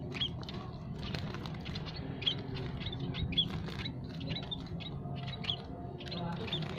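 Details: Scaly-breasted and Javan munias, males and females, kept in an aviary and calling nonstop: many short high chirps and ticks scattered irregularly through a dense rustling, pattering background with low rumble.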